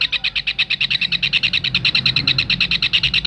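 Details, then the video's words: Kingfisher recorded as a tutor for songbirds: a fast, even rattle of sharp high notes, about nine per second, running unbroken throughout with faint low hum beneath. "Tengkek raja udang masteran"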